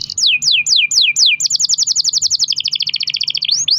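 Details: Pet canary singing long rolls to prompt other canaries: five slow falling whistled sweeps, then a fast even rattle of rapid notes lasting over two seconds, ending in a rising slur.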